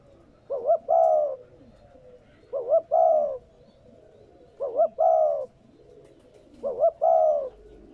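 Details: Spotted dove cooing four times at a steady pace of about one phrase every two seconds, used to stimulate new captive doves. Each phrase pairs a quivering double note with a prolonged mellow coo.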